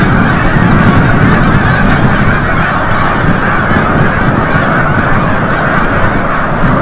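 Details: A large wild flock of Snow Geese at sunset, returning from the bay at Forsythe National Wildlife Refuge, New Jersey; rapid, overlapping honks, roughly four per second, form a constant, irregular din.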